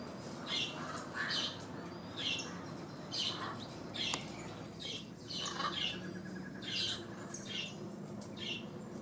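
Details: Yellow-crowned amazon interacting with a blue-and-yellow macaw in Caracas, Venezuela, giving harsh, raspy squawks in short bursts, about one a second, over a low indoor hum; the macaw may be calling too.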